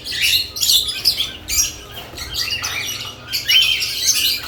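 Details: Lovebirds chirping during nest box activity: harsh, high, clustered chirps in short bursts separated by quieter gaps, with one clearer rising whistle near the end.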